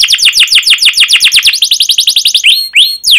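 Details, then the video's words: Canary in full, energetic song, used as a lure to get young canaries singing: fast repeated downward-sweeping chirps of about four per second, then a few longer rising and bending whistles near the end. "PANCINGAN Kenari GACOR PANJANG Cuit CUIT EMOSI ini AMPUH utk MASTERAN Kenari PAUD belajar BUNYI"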